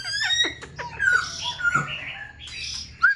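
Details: Captive black-throated laughingthrush, loud in a small room, with no female present, fanning its tail and wanting to lift its wings, sings a rich, varied run of clear whistles, slurred notes and quick chirps, with more varied phrases than before.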